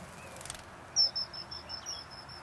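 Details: Common kingfisher at Plevník-Drienové near Považská Bystrica, Slovakia, giving a thin, piercing high whistle, drawn out and broken into short pulses over about a second and a half, over a soft outdoor hiss.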